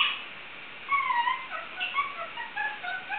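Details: A pet Indian ringneck (rose-ringed parakeet) gives a quick run of thin, whiny whistled notes in a quiet room, about eight in three seconds. The notes slide and waver like a whimpering dog; mimicry by a parakeet that also barks, meows and makes chicken sounds.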